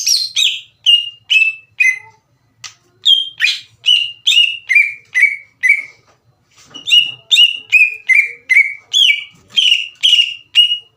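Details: Green leafbird singing to provoke a rival into answering: clear downslurred whistled notes delivered in steady series of about two per second, broken by one short gap.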